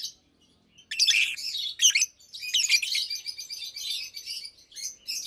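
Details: Daytime chirping and singing from two caged adult Fischer's lovebirds, a pastel green and a blue bird nearly two years old; after a brief quiet start, a dense unbroken stream of harsh, high, twittering chirps and squeaks follows.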